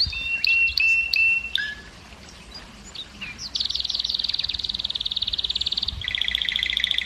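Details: Male canary song meant to excite hens into breeding. It opens with short whistled notes and squeaks, then a long, rapid, high trill, and closes on a lower rolling tour.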